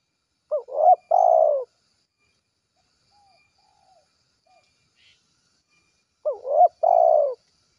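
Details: Spotted dove in 'gacor kuk 1' style, calling to its companions. The same three-part phrase comes twice, about six seconds apart: a quick rising note, a wavering coo, then a long even low coo. Faint distant chirps fill the gap.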